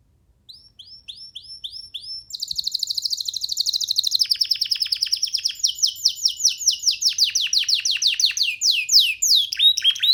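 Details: Free baby canary on a hand, singing a series of rising whistles, then a long run of rapid trills at changing pitches, with a faint background hum.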